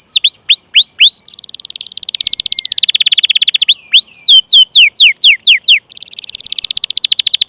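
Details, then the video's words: Canary in long 'gacor' song with 'cuit cuit' calls and rolls, used as a lure to set other canaries singing: sharply descending whistled sweeps, then a fast buzzy roll, more falling sweeps and another long rapid trill. "Masteran Suara Burung Kenari Gacor Panjang cuit cuit Ngerol untuk Pancingan Kenari!"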